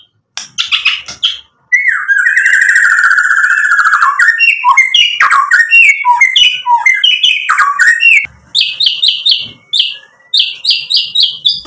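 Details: White-rumped shama singing hard with imitated fill-in material, a lure to provoke rival birds: a long buzzy warbled phrase, then a varied run of short whistles and chips, ending in quick repeated high notes.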